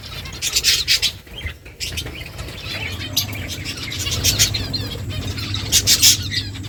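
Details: Feeding finches give rapid high tweets in choppy bursts, some notes trilled, with a low hum beneath.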